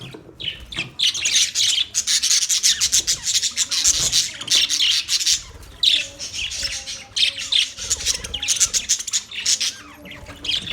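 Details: Many Australian budgies chattering together, a constant bright mix of warbled chirps and squawks with short gaps, some faint lower tonal notes running underneath.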